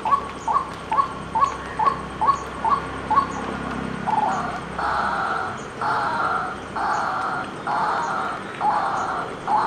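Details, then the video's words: White-breasted waterhen giving quick, short mid-pitched notes about twice a second, then shifting into longer, harsher, buzzy blocks of sound spaced roughly one second apart, against faint background noise. "White-Breasted Waterhen Unique Sound"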